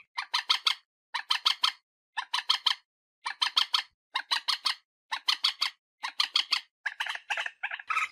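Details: Common moorhen, call played to draw birds in for hunting: bursts of three to five harsh, clucking notes repeated about once a second, becoming faster and more jumbled toward the end.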